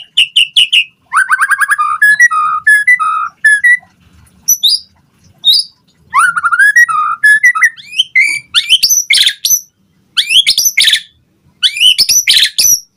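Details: White-rumped shama song meant to draw answers from other birds: varied whistled phrases with rapid stuttering trills, rising sweeps and harsh high bursts, delivered in repeated bouts separated by short pauses.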